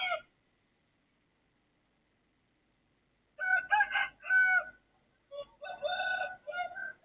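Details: Neighbour's rooster crowing at 3:35 am on 18 December 2024: a brief harmonic note at the start, then after a long silence a loud broken crow in several strained, buzzy phrases.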